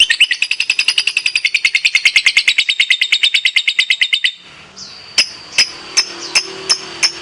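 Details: Active competition lovebird in ngekek style: a fast, buzzy, chattering trill of evenly pulsed high notes lasting over four seconds. It then breaks into scattered sharp ticking chips, the ngetik style.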